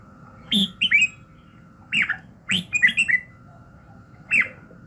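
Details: Sparse morning phrases from a red-whiskered bulbul for voice training and arousal: separate bright, slurred whistles, some doubled, spaced about a second apart against a quiet hum.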